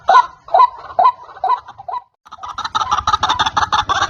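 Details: White-breasted waterhen lure call used for trapping birds: a run of hoarse, croaking notes about twice a second, a short pause, then a denser, harsher chattering stretch.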